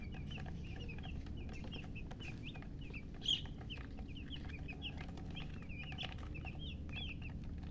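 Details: Freshly hatched chicken chicks keep up steady, evenly spaced high peeps, some notes rising and others falling, with one sharp click partway through and a low hum underneath.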